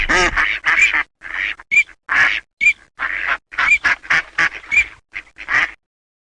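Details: Eurasian teal giving a quick run of harsh nasal quacks interspersed with brief high whistles, in bursts of about half a second separated by short gaps, then fading to silence.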